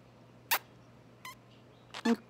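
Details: A male pet budgerigar that loves giving kisses makes three short, sharp smacking squeaks like mimicked kisses, about a second apart, over a low steady hum; it also says "thank you".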